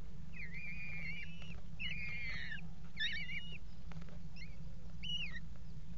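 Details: Mating Eurasian kestrels on a water-tower nest-box rim, 5 February 2018: four drawn-out, quavering, trilled whining calls roughly a second apart, with a low mechanical hum underneath.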